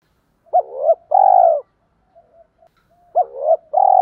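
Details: Spotted doves, male and female, calling to stimulate cooing: two low mellow phrases, each ending in a long steady coo, with faint soft notes from another dove in the pause between them.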